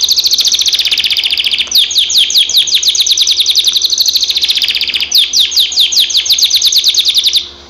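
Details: Canary singing: rapid repeated rising-falling trills and chirps, high and bright, in continuous phrases with brief pauses near the two- and five-second marks, ending with a fading note; no other sounds.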